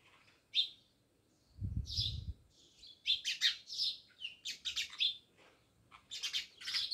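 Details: Many house sparrows near a village house in Jamnagar chirp busily, notes tumbling faster toward the end, with a brief low thumping noise early on.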